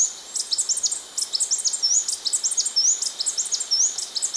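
Blue-backed conebill: a steady, very high, thin twitter of quick chips mixed with short slurred whistles, running on without pause; nothing else is heard.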